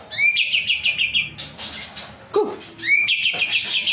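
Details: White-rumped shama described as a champion singer, giving rapid whistled trills around a steady high pitch, opening with a rising note, broken by a lower swooping note, then a second bright rattling phrase.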